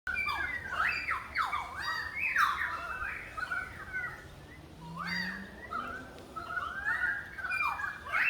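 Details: Currawongs on the Gold Coast give loud, ringing calls that swoop up and down, several voices overlapping in bursts with a short lull midway, while a faint low hum rises briefly.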